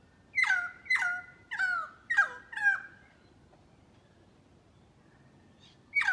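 A currawong gives five loud, ringing, downslurred calls in quick succession, about two a second, then pauses before starting again.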